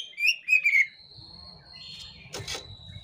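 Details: Female Oriental magpie-robin (kacer poci) in breeding condition, tail spread open while calling. Two or three short buzzy chirps, then faint hiss and a scratchy noise burst.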